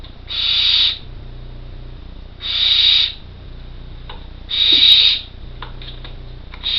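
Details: Four well-developed barn owl chicks, nearly ready to fledge, in an artificial nest box in County Kerry, Ireland, giving loud hissing snoring calls, each about half a second long and repeated roughly every two seconds, over a low steady hum.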